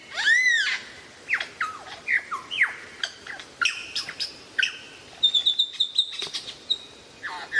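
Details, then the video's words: Lyrebird mimicking varied sounds: a loud arched harmonic note, then scattered squawky chirps and slurred calls, and a quick stutter of high, thin whistled notes near the end. "suara variasi burung lyrebird"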